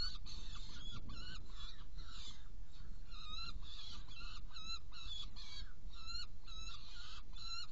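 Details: Saker falcon recorded in Hungary on 16 June 2018 at 18:57 as prey is delivered and two young are fed: muffled calling at first, then a crisp fast series of short arched nasal notes, roughly three per second.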